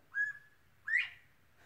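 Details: Northern bobwhite giving two clear whistled notes: a short, level first note followed about half a second later by a louder, sharply rising slurred whistle, over a quiet background.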